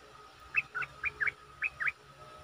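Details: A caged Cream-vented Bulbul kept as a decoy bird delivers six short, clear, liquid chirps that jump upward, spaced a few tenths of a second apart, with a faint steady hum behind.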